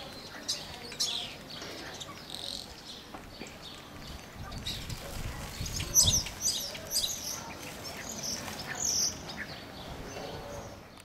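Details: Spotless starling (Sturnus unicolor) at Mazagón, Spain, in April 2011 sings a rambling medley of high whistles, clicks and buzzy chatter in quick bursts, with a low background rumble.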